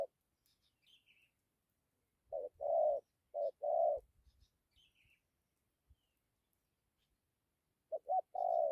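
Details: Spotted dove cooing in the 'dặm' style: two low, breathy paired coos, short then long, then a quiet gap. A further pair follows at the end, with faint thin chirps from another bird in between.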